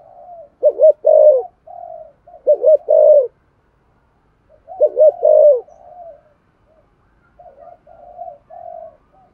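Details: Spotted dove cooing to stimulate other doves, with loud low hooting phrases of three or four notes every two seconds or so, then quieter, more distant coos toward the end.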